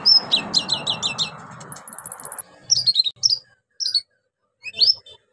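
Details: Orange-headed thrush song for luring quiet birds into singing: a quick series of repeated high downslurred notes, a brief thin trill, then scattered sharp chirps, over soft background noise that fades midway.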